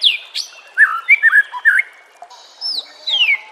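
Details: Master song of white-rumped shama for training caged birds, brief downslurred whistle, soft warbled notes, then high thin descending whistles.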